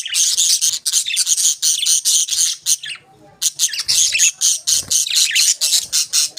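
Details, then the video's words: Budgerigars chirping: dense, fast chattering warbles and squawky chirps crowding the upper range, almost continuous with short pauses, one brief lull near the middle before the busy chatter resumes. "Budgies Beautiful Chirping Sounds"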